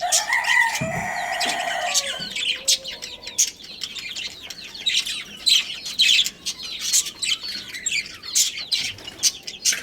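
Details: Chirping from a budgerigar breeding pair: a few clearer whistled notes at first, then a busy stream of quick, scratchy high chirps and warbles that continues throughout.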